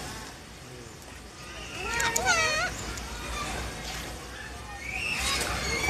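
A cockatoo gives a brief, wavering, speech-like phrase of gliding harmonic tones, with a fainter second utterance near the end over steady background noise and sloshing water.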